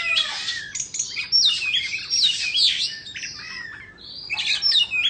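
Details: Dancing white-rumped shama of Indonesian stock, tail fanned, pouring out a fast, high-pitched medley of sharp chirps and bright whistled phrases, pausing briefly before a final burst.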